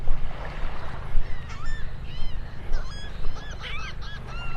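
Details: Several gulls, apparently fighting, on Vanderbilt Beach, North Naples, Florida, on a cloudy Christmas Eve morning (24 December 2023), give harsh, overlapping squawks and yelps, bursts coming thick and fast, over a steady low rumble of wind and surf.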